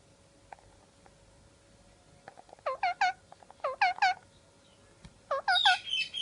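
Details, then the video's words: Pet parrot enjoying time out of its cage. Bursts of harmonic, nasal call notes come in quick groups of two to four, with pauses between. A harsher, higher screech closes the sequence against a quiet room background. "Here the Sound of Rio Parrot"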